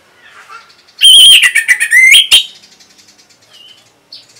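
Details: Orange-headed thrush kept in North Bali, Indonesia, singing to train and stimulate other birds. A single loud, tumbling phrase of clear whistles, harsh chips and rapid trills lasts about a second and a half, then quiet with faint notes.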